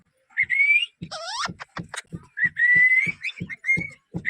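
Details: Greeting from a talking ringneck parrot: short rising whistles alternate with a swooping nasal syllable and quick high clicks, while faint low knocks keep time in the background.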